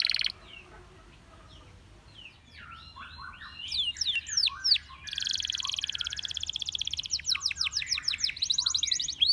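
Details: Belgian canary singing as many canaries join in: a quiet opening, then jumbled overlapping chirps and swoops building into dense, buzzy high trills with several birds audible.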